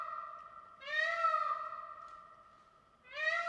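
Indian peafowl giving loud, nasal, cat-like wails, each swelling then sliding down, two calls about two seconds apart in a quiet setting.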